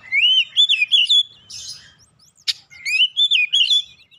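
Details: Oriental magpie-robin singing to provoke other birds: loud, clear, warbling whistles rising and falling in quick runs, a brief harsh rasp and a sharp click, then another bright whistled phrase.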